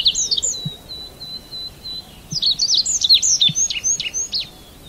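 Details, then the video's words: Red avadavat giving thin, high twittering calls, first a short run of even piping notes, then a busier burst of squeaky chirps and slurred whistles. "Chim Hoa Mai, Chim Manh Manh. นกกระติ๊ดแดง"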